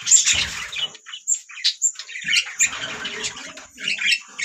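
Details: Budgerigar song as a group chorus, made of bursts of scratchy warbling and sharp squeaky chirps that rise and fall in loudness every half second or so, with faint low rustling underneath.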